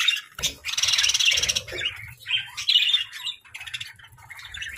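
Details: Pet budgerigars, happy and playful, chattering in a dense, scratchy warble of overlapping chirps and squawks, with a brief gap midway.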